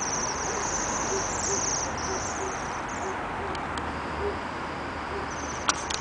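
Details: Waxwings in a yard give high, thin, trilled calls in clusters, with a few sharp clicks, over a steady rushing background noise.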